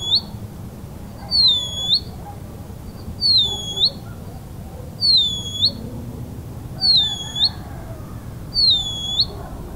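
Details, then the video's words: Band-winged nightjar (bacurau-da-telha, Hydropsalis longirostris) gives a thin, very high, dipping-then-rising whistle, repeated steadily about every two seconds over a low background hum. "O canto do bacurau-da-telha"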